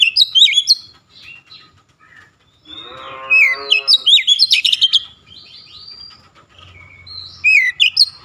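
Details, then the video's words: Oriental magpie-robin in an aggressive "shooting" display, unloading its repertoire: loud clusters of sharp, high chirps and slurred whistles, with a lower buzzy, harmonic-rich note partway through and short pauses between bursts. "KACER NEMBAK NEMBAK BONGKAR ISIAN"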